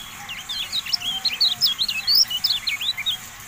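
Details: Javan white-eye song used as a training recording for caged birds: a dense, rapid run of high, thin twittering and chirping notes, with many quick up-and-down slurs packed closely together throughout.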